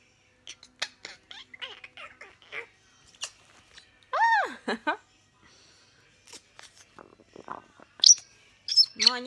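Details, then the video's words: A pet grey parrot, described as sometimes furious and scolding when irritated, chatters in mimicked speech with short word-like syllables, then gives loud, rising-and-falling squawks and a sharp high whistle near the end. "БЕШЕНЫЙ ПОПУГАЙ ))) ГОВОРЯЩИЙ ПОПУГАЙ ЖАКО"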